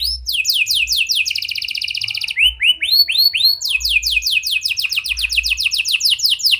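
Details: Canary producing a loud lure song in prinia and lovebird style to stir other canaries: quick descending notes, a buzzy rapid trill, several slow rounded swoops, then a fast run of sharp repeated notes.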